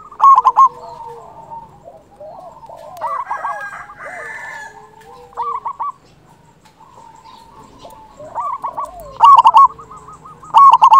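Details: Local zebra dove singing strongly, used as a trapping lure and to raise breeding drive in other doves; short loud rolling coo bursts at the start, middle and end over a chorus of fainter coos.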